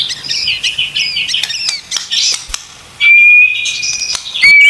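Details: Murai batu, the white-rumped shama, in 'isian tembakan' tutoring song: soft jumbled chattering notes first, a hush, then a loud, thin, steady whistle held for over a second and a final shorter whistle.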